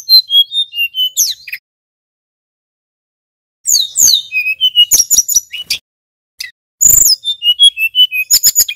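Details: Male tledekan gunung flycatcher singing a lure to rouse other flycatchers: a run of thin descending whistles, then silence, then renewed bursts of bright, quick, high notes and chips.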